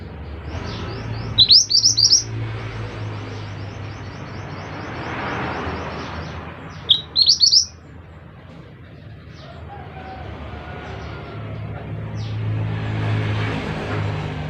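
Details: Mantenan, the scarlet minivet, in 'gacor' song: two short bursts of rapid, high rising whistles several seconds apart, set within long stretches of low rumbling background noise.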